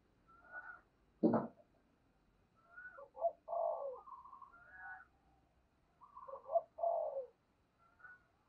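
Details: Spotted doves cooing while a decoy lures wild birds: repeated low-to-mid coo phrases with higher overlapping notes, recorded more distantly over a faint low hum, with one sharp thump near the start.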